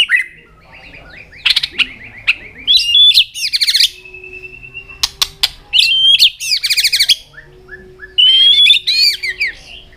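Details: White-rumped shama singing while flicking its tail, a fighting song used to stir young shamas into form: rich varied phrases of high whistles, rapid trills and sharp clicks in bursts, with a long steady whistle between phrases.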